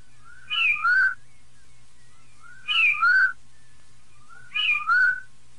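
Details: Rufous-bellied thrush singing in the Piedade song style, a recording meant for training young birds: three short slurred whistled phrases, each a rising then falling pair of notes, spaced about two seconds apart over a low steady hum.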